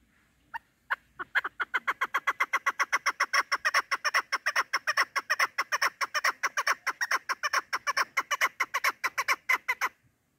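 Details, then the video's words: Female chukar partridge kept for hunting, giving a long run of harsh clucking notes, about forty in ten seconds, steady and evenly spaced, starting with a couple of isolated notes; quiet background. "Овози модкабк Садои модкабки шикори Мастак Кабки мода Кабк Кабк Keklik که و Partridge Chukar"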